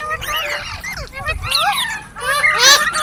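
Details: Green parrot chirping in three or four bunched bursts of slurred whistles and squawks, ending in a louder harsh screech, with a faint low rumble underneath.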